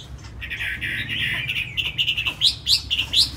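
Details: Tame Chinese hwamei kept in a cage in Hà Nội, a good singer: a sustained warbling whistle gives way to sharp, bright repeated notes rising in pitch, over a steady background hiss and low hum.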